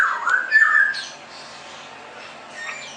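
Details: Straw-headed bulbul (cucak rowo), singing in ngerople style: one short, loud fluty whistled phrase dipping then rising, followed by quiet with a faint distant note.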